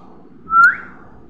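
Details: Young parrot with one short whistled note that climbs into a brief upward sweep before fading, set against a faint low hum.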